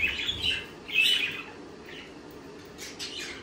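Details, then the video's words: Budgerigar chirps: two bright, warbling bursts early on, then quieter scratchy twitters toward the end, high-pitched and clear against a quiet background. "Sonidos de periquitos Australianos"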